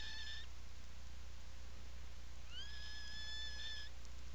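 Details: From a puffin nesting burrow on Seal Island National Wildlife Refuge, Maine, 17 July 2018, afternoon: a brief note's tail, a pause, then a rising, sustained whistled call over a second long with bright overtones, constant low hum behind.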